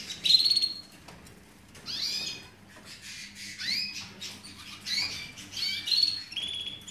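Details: Canary song from a breeding room in the 2017 season: bursts of high, bright whistles and quick descending trills separated by short pauses, over a soft low-pitched hum.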